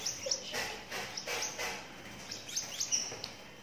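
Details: A lovebird chick, 12 days old, makes bursts of harsh, high-pitched chirping with a few thin squeaky notes. The bursts come in uneven pulses with short quiet gaps between them.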